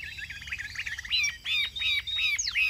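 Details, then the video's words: Caged Chinese hwamei in full voice: a warbled run of quick notes followed by loud arched whistles, each rising then dropping steeply, delivered in a rapid series. "Cao cầu hót tốt - bóng bộ cực đẹp - Họat Họa Mi"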